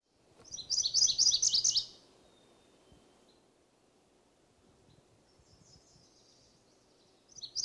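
MacGillivray's warbler sings a quick, high, buzzy-edged phrase of repeated notes lasting about a second, with another phrase starting at the end over faint background hum.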